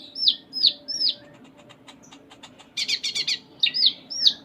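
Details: Sunda minivet, a female among those named, singing actively in a full song packed with mimicked phrases: repeated hooked whistled notes about every third of a second, then a burst of rapid buzzy trilled notes, then the hooked notes again.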